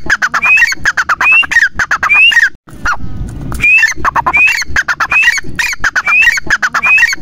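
A partridge calls loudly in harsh, squawky phrases, each ending in a sharp rising note, repeated roughly every three-quarters of a second, with a brief noisy break midway.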